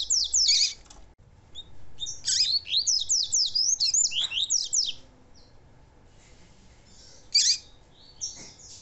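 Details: Chestnut-bellied seed finch tutor song used to train young males, with a female present to stimulate singing. A quick, sharp run of high downslurred notes lasts about three seconds and is framed by brief scattered chirps.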